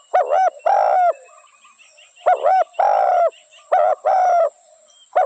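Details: Spotted dove giving repeated cooing phrases of two clipped notes and then a long steady coo, about three phrases in five seconds, with faint twittering from other birds behind.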